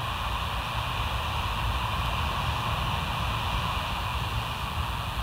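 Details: Constant broadband hiss over a low rumble, like distant traffic or wind, with no animal voice.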